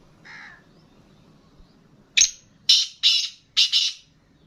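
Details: Black francolin held in captivity giving a faint note, then four loud, harsh, grating squawks in quick succession over about two seconds against a quiet background.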